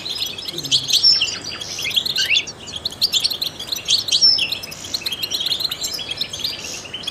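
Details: Song of a trained European goldfinch, played to stimulate other songbirds; bursts of quick high chirps and trills, a brief lull mid-way, then renewed twittering phrases with occasional sharp upslurred notes.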